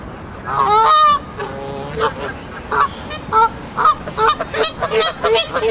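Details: Adult geese with grown goslings on a lake in Central Park, anxious about other geese elsewhere on the lake; loud nasal honks, first a long harsh burst, then short rising honks repeated rapidly in an irregular series.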